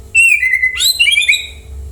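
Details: White-rumped shama song for encouraging other birds to sing along: a high clear drawn-out whistle dropping slightly, then a burst of rapid high warbled notes.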